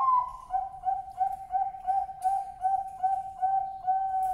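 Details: Male zebra dove of the Bangkok type, calling to attract females, delivers a brief higher opening coo followed by a rhythmic train of about eleven soft, mellow cooing pulses ending in a held note.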